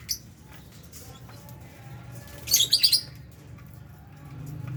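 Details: Lovebirds eating in an aviary shared with budgies: one short cluster of four rapid, harsh, high-pitched squawks midway, otherwise quiet with faint chirps and low hum.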